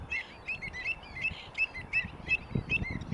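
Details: Greater flamingos at South Atanasovsko Lake, Bulgaria, in July 2020, recorded during monthly bird monitoring: a flock giving repeated goose-like honking calls, several per second, overlapping in a steady chatter with faint wind below.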